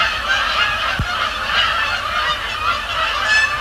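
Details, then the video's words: Many Canada geese honking together on a Thursday night at Sapsucker Woods Pond during fly-overs and landings; steady overlapping nasal honks fill the whole stretch, one brief low thump near the start. "Canada Geese, Thursday night at Sapsucker Woods"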